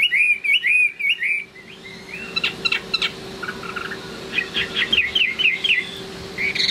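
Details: Chinese hwamei in late afternoon: loud looping whistles open the passage, then softer, quieter chirped phrases follow, with a faint hum underneath.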